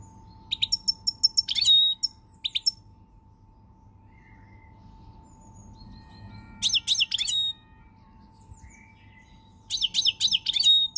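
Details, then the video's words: Song of a European goldfinch, pied, 20 March 2020: three separate bursts of rapid liquid twittering and metallic trills divided by quiet pauses, a constant low hum in the background. "GOLDFINCH SONG"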